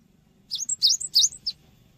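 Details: Cinereous tit singing lively, used as a lure song for training birds: a short burst of high, sharp chirped notes, some rising and some falling, packed into about one second, over a faint low hum.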